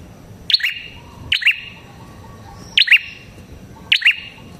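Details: Prenjak kepala merah prinia played for luring prinias: loud, clipped double chirps with a bright ringing tone, four notes at uneven intervals, background otherwise still.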